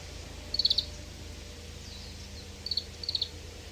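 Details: Short buzzy trills from an Oriental greenfinch, a longer burst of rapid pulses followed by two smaller ones near the end, with steady hiss behind.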